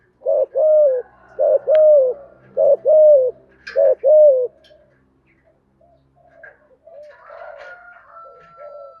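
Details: Spotted dove song used to coax new doves into singing: four paired low coos in quick succession, then quieter faint sounds and a thin steady tone in the background.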